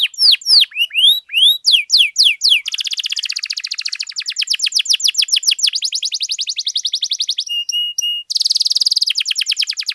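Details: Domestic canary in full, long-running song for tutoring and prompting other canaries: bright downslurred whistles give way to rapid rattling trills, a brief pure steady double tone, then another fast buzzy roll.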